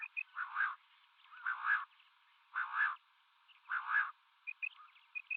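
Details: Common quail, male and female calling in a mix: four even, harsh, buzzy bursts about every 1.1 seconds, with small high double chirps in between.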